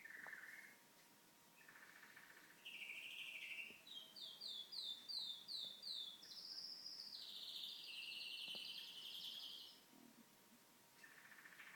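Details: A pet canary sings indoors while a television plays. It gives rapid, varied, high trills and buzzy rolls with a run of quick repeated notes, then a sustained warbled trill. Short chirps at the start and end, with quiet room noise behind.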